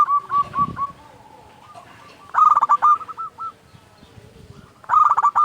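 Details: Zebra dove song used as a lure to make doves sing; soft trailing coos followed by two loud bursts of rapid stuttering cooing notes.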